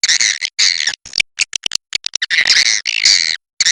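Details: Swiftlets giving 'inap' calls: short, harsh, buzzy chirps, some drawn out, others clipped into rapid clicks, coming in uneven bursts with short silences.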